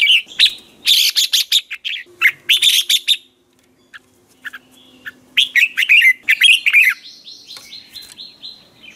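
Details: Red-whiskered bulbul in a hót ché training song, used as a lure to make other bulbuls sing. Dense runs of bright chirped and warbled phrases come in two bursts around a brief pause, ending in a drawn-out whistle.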